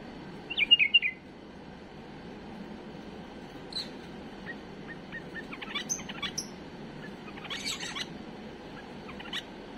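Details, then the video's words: Tame bulbul singing an error-free song meant for tutoring young birds: one loud burst of clear whistled notes near the start, then only faint scattered chirps over a steady low hiss. "تغريد بلبل اليف خالي من الاخطاء لتخريج الافراخ"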